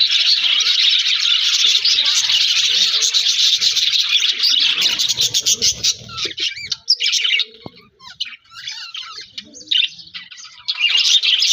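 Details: Budgerigars in an aviary colony keep up a dense, busy chatter of chirps, squawks and warbles, fading into quieter scattered tweets in the middle before the full chorus swells again.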